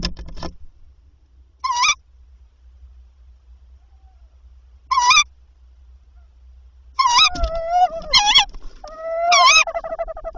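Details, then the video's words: Tawny owl during nighttime prey handovers on 7–8 April 2023, the male delivering three prey before 01:00; spaced harsh calls that quicken into a cluster of rasping notes and tonal wails, over a low background rumble. "Bosuil prooioverdrachten"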